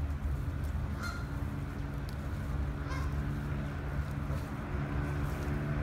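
Two Canada goose honks, short and nasal, about two seconds apart, over a steady low rumble like engine or traffic noise.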